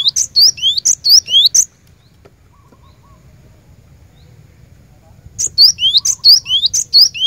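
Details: Cinereous tit lure song for caged birds: two bouts of fast, rhythmic upslurred whistles alternating with piercing high notes, split by several seconds of near silence over a steady low hum.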